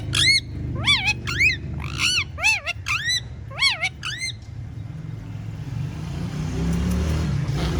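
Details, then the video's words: Whistling pet parrot: about ten clear, looping whistled notes with strong overtones, each rising then dipping, repeated roughly twice a second for four seconds. Steady low rumbling noise follows. "Talking Parrot Says Funny Words and Whistles Perfectly"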